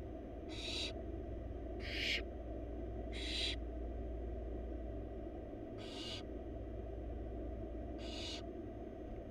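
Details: Wild barn owl chicks, four in a monitored nest box, fed a large rabbit by their mother: five short, rasping hisses, three in quick succession, then two more after a pause, over a low background hum.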